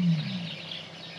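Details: A Common Ostrich gives a low call nearby: a deep, humming note lasting about half a second, followed by a soft, steady background hiss.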